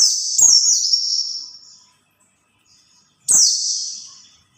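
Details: High white-eye warbling used to lure others of its kind: a fading phrase of thin, slurred notes, a pause of over a second, then a fresh bright phrase starting with a click and sliding downward.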